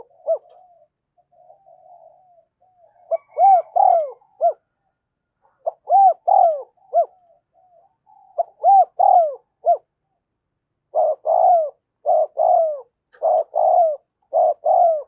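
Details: Decoy spotted dove cooing to call wild doves in. Soft, low, hooting coos come in phrases of three to five notes, separated by short pauses. Each phrase has a quiet lead-in and some notes bend downward.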